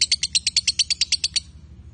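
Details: Male and female lovebirds give a short quick series of about thirteen sharp, high, buzzy notes, then stop.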